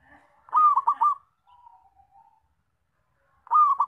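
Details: Zebra dove calling loudly, a recording meant for luring and trapping: a fast rolling trill of three or four coos, a faint trailing coo, then another rolling burst starting.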